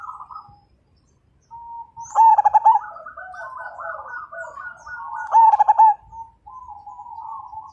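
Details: Majapahit zebra dove singing to draw other birds into song: two loud, fast-stuttered coo phrases about three seconds apart, with softer overlapping coos from other doves between them.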